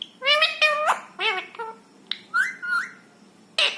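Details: Ringneck parrot, a rescue bird indoors, speaking in imitated words: a few rich harmonic syllables, a short pause, a gliding whistle-like phrase, then a final harsh burst.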